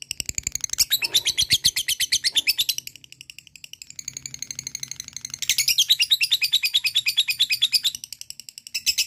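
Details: A lovebird's ngekek, used to coax lazy lovebirds into singing: long bursts of very rapid, piercing chattering notes, several seconds at a time, with a short quieter stretch between bouts.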